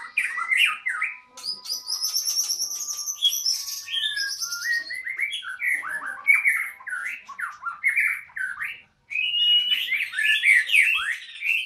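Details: White-rumped shama at a breeding site, delivering a long, varied song of rapid warbled and slurred notes, high thin trills and harsh buzzes, with a brief pause before a fast final burst.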